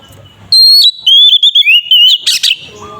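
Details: Oriental magpie-robin in full fighting song, used to provoke others into singing: a clear sustained whistle, then a wavering run of whistled notes ending in a harsh rasping burst, with faint background murmur.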